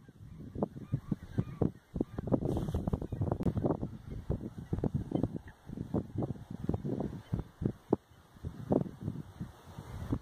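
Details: A gathering of lesser white-fronted geese in Hoeksche Waard's Oudeland van Strijen, Netherlands, 9 February 2022; a steady babble of many honking birds, sharp separate yelps rising above the mass at irregular intervals throughout.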